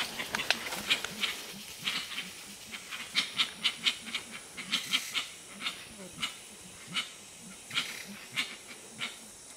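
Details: Gray-winged Trumpeters (Psophia crepitans), several birds, at Tiputini Biodiversity Station in the Ecuadorian Amazon: a steady run of soft, low hooting notes, about two or three per second, under sharp dry clicks and rustling sounds.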